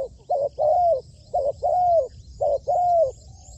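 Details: Spotted dove kept as a trained decoy on a roof gives low coos in pairs, a short coo followed by a long level coo, repeated about once a second; faint high ticking in the background.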